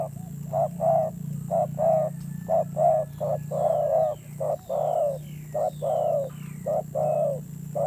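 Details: Spotted dove used as a decoy bird, with a fierce-sounding voice. It gives a steady series of low, throaty coos, short notes mixed with longer ones. Faint high chirps from other birds and a low hum are in the background.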